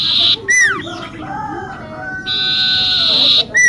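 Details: Common iora song, used as a lure: a buzzy, drawn-out, high note, a swooping, falling whistle, softer wavering tones, then another long, buzzy note and a final sharp drop.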